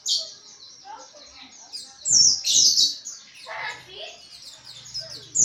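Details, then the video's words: Pleci (white-eye) giving ngriwik chatter as training sound: high, thin twittering throughout, with a couple of louder, harsher bursts and some lower rustling noises. "Penggacor Pleci NGRIWIK"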